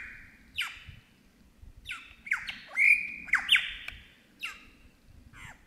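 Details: Superb lyrebird in the Australian bush imitating other birds: irregular harsh, down-slurred squawks mixed with bright sustained whistles, one loud held note in the middle, over a soft constant low rumble.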